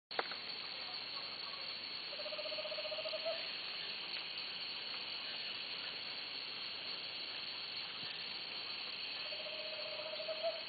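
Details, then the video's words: An owl gives two brief, rapid pulsed trills, low and even in pitch, each lasting just over a second and spaced about seven seconds apart, over a steady, loud background hiss of insects. "Canto da coruja"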